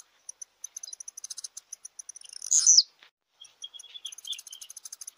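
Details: Blue-black grassquit singing: a rapid run of dry, high ticks builds into one loud, buzzy, downslurred note near the middle, then the fine ticking resumes, mixed with thin whistled notes.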